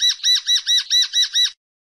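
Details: Common linnet, 2016: seven ringing, arched notes repeated evenly about every fifth of a second, then silence; high, clear and tonal with no background noise.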